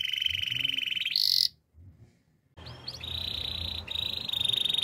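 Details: Yorkshire canary training song: a long, steady buzzing trill and a brief higher phrase, a near-silent gap, then chirped upslurs leading into sustained bright rolling trills over low background rumble.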